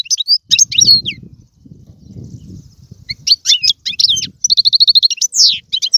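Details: European goldfinch song for stimulating a pet goldfinch: bursts of high twittering notes and a rapid even trill, separated by a soft low rustling pause.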